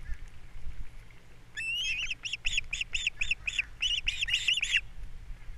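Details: Osprey at a Captiva nest on April 3, 2022, the male arriving with fish at breakfast while the female feeds the young; a rapid run of about a dozen shrill, whistled chirps, roughly four per second, over low background rumble.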